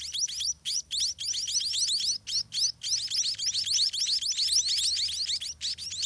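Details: Scaly-breasted munia young in their nest call for food from the adults, which feed them all day: nearly continuous, overlapping high-pitched upward-sweeping chirps, growing busier and denser after the first few seconds.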